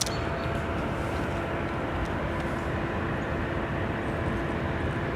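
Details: Loud, steady engine rumble from a passing vehicle or aircraft fills the recording, with no animal calls heard.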